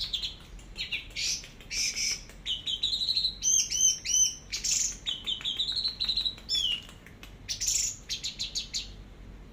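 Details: Teler-style song of an orange-headed thrush for tutoring: a rapid, varied stream of chirps, trilled repeated notes and slurred whistles, with hardly a pause over nearly ten seconds.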